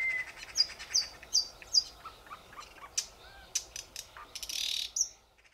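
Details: Thrush nightingale singing in Belarusian Poozerye, 2020; a low whistle, then a series of clear repeated notes about every 0.4 seconds, followed by scattered clicks, sharp notes and a buzzy rattle.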